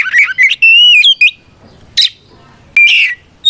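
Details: Oriental magpie-robin fighting song to provoke rivals: a few warbled whistles and a long slurred note, followed by two harsh rasping bursts with silence between them.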